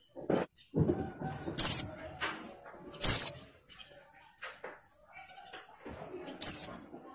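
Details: Three high, downward-slurred notes from a breeding-mood female oriental white-eye calling to a male, spaced unevenly, with scattered softer clicks and knocks between them.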